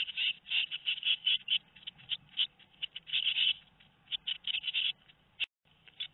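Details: Two-week-old tit young in their nest at Théding, France, 13 May 2019, producing loud grouped squealing chirps that fade toward the end, followed by a brief silence.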